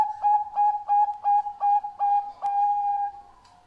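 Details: Bangkok-type zebra dove, used as a lure for other doves, giving a soft mellow cooing phrase: about eight short clipped coos at an even pitch, about three per second, ending in one long drawn-out note that fades.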